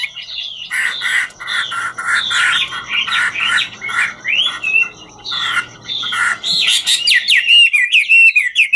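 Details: Chinese hwamei singing in the ngũ trường style while dancing; harsh, squawky warbles over a steady low hum at first, then clean, fast looping whistles near the end.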